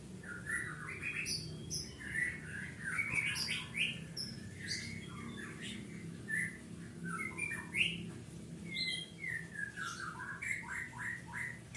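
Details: Captive long-tailed white-rumped shama kept as a mascot at a breeding farm in Pati, Central Java, Indonesia, singing varied whistled phrases with quick rising and falling notes and short chattering bursts, steady low hum indoors.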